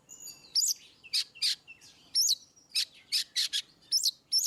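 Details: Oriental magpie-robin, ngeplong style song for prompting birds that rarely sing: rapid alternation of sharp looping whistles and dense raspy bursts, about a dozen notes in quick succession over a faint low background hum.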